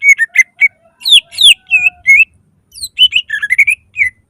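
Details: Greater green leafbird in loud, energetic song used as a lure for other leafbirds: whistled notes that slide up and down, sharp downward chirps and a quick rising warble near the end.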